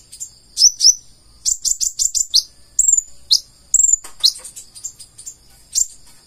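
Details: Purple-throated sunbird singing in the gacor full isian style: a busy mix of rapid high chips, short clear whistled notes and scratchy bursts, delivered without pause.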